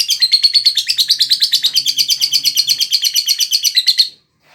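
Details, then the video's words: Lovebird singing in the ngekek style: a long, fast chattering trill of rapid high buzzy pulses, about three per second, sustained for four seconds before stopping abruptly. Faint low hum underneath. "Love Bird Ngekek"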